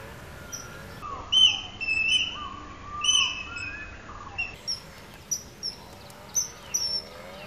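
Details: Common kingfisher: a series of short, shrill, high whistles. At first they come in pairs of drawn notes, then as sharper single peeps about every half second. Lower whistled notes from another bird sound alongside, over a quiet background hiss.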